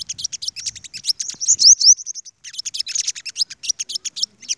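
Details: Five-coloured sunbirds facing off against the flock's lead birds: dense rapid bursts of very high ticking chirps, broken by a short run of rising whistled sweeps, then a brief pause before the fast chatter resumes.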